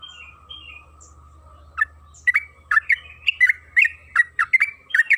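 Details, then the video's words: {'caption': 'Yellow-vented bulbul (trucukan kebo) used as a lure to prompt singing: soft thin whistles at first, then a burst of rapid bubbling chirped notes, roughly three per second, over a low hum.'} "Pancingan trucukan agar bunyi‼️Suara burung TRUCUKAN KEBO Gacor ropel Panjang"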